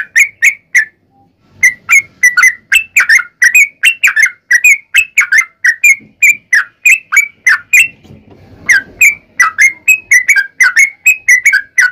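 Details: Yellow-vented bulbul in long rapid fighting-style song (ropel panjang), used as a lure to make other bulbuls answer; dense run of sharp whistled notes with buzzy overtones, a brief pause near eight seconds, then continuing.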